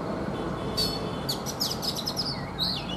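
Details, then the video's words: Morning song of a caged, wild-caught Oriental magpie-robin kept three seasons: a quick series of bright chirps and clipped whistles, then a falling slurred note, against a soft background rumble. "Chòe Than già rừng - 3 mùa lồng hót buổi sáng"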